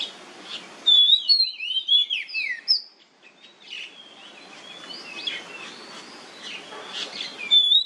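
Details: Oriental magpie-robin (kacer) song, used as a lure to prompt singing: a loud varied phrase of swooping whistles and chatters, a brief pause, then softer continuing notes and a final clear whistle.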